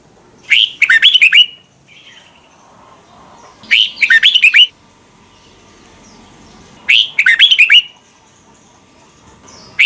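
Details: Doubled (เบิ้ล) song of a red-whiskered bulbul from Thailand, played daily so young birds learn it: three short, bubbling whistled phrases spaced about three seconds apart over quiet pauses.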